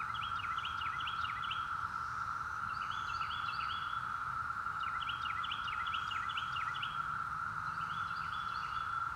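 A mockingbird sings bursts of quick, chirping phrases over a loud, steady cicada drone.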